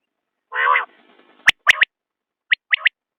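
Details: Common quail starting with a loud grating nasal note, then two clear, sharp three-note phrases in a high register, a second apart, in otherwise silent surroundings.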